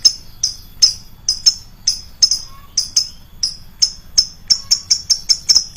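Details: Shrill lovebird chirps used as a lure sound, piercing high notes repeated at uneven intervals of roughly a quarter to half a second, speeding into a quick run near the end.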